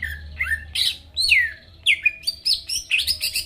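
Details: Greater green leafbird song for provoking rival birds, made of loud sweeping whistles that slide up and down, separated by short gaps.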